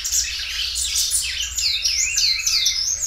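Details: Belgian canary in loud, stretched song: a dense stream of high warbled trills and sweeping rising-falling notes throughout these few seconds.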